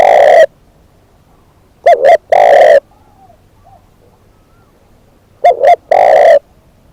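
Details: Decoy spotted dove repeating its cooing phrase about every three and a half seconds: two short coos running into a long burry coo, with faint softer coos between.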